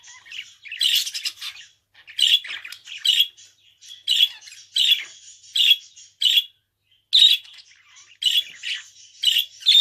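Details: Budgerigar, a pet bird, delivers a steady run of short buzzy chirps and scratchy squawks roughly every half second, with faint twittering between bursts.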